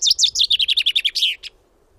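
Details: Common chaffinch in the Wittlicher Tal, 2018, heard mid-song: a brisk string of bright chirps descending in pitch, a drawn-out downward slur, and one separate final note before silence.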